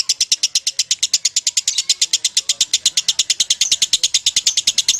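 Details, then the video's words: Lovebird giving a long 'ngekek' trilling song: a continuous, harsh, chattering series of rapid notes, about six to seven each second, steady and unbroken throughout, loud and high-pitched. "Lovebird Legend KUSUMO Ngekek Panjang"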